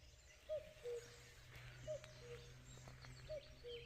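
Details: Common cuckoo giving three soft two-note cu-coo calls, the first note higher and the second lower and longer, spaced about one and a half seconds apart, over a faint hiss of outdoor background noise.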